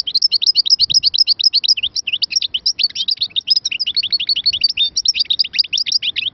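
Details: Continuous, exuberant goldfinch song fills the whole stretch: a relentless flow of high, scratchy, twittering notes with occasional sweeter whistled accents and no pauses.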